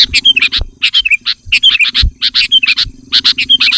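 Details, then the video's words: Sooty-headed bulbul calling to bring in wild bulbuls: a rapid series of short chirps and brief slurred whistles in quick clusters, over a low steady hum. "Suara Burung Kutilang Gacor Memanggil Kutilang Liar"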